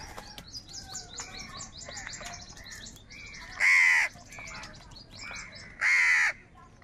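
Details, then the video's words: Crows fighting for food and calling in anger; twin loud, harsh caws stand out near the end, over a steady background of high, twittering small-bird chirps. "Crow Birds Unity Anger and Sound | All types of Crow Sounds | কাকের ডাক Crow Sound Loudly"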